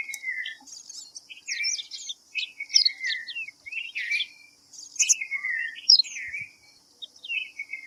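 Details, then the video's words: A red-vented bulbul (Pycnonotus cafer) gives bright, liquid chirps and short whistled phrases that slide downward, in loose, irregular bursts over a steady, high, insect-like hiss. "Red-vented bulbul (Pycnonotus cafer)"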